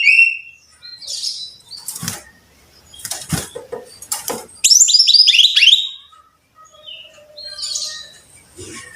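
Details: Brown-chested jungle flycatcher, tagged as a Bali endemic, in a recording played to encourage captive birds to sing: high, sweet whistled notes and a quick tumbling run of descending phrases, broken by a few sharp thumps like flapping wings.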